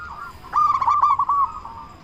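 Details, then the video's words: Zebra Dove singing to draw other doves into song: a quiet coo, then one bright phrase of fast bubbling notes at a steady pitch, fading out at the end. "Perkutut Lokal Gacor Suara Besar Pancingan Burung Perkutut Agar Cepat Bunyi"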